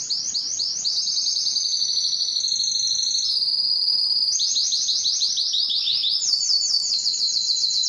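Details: Singing canary, Spanish timbrado or Belgian style suggested, delivering unbroken high tours: fast trills stepping downward, a level bell-like roll, then sharper rising trills.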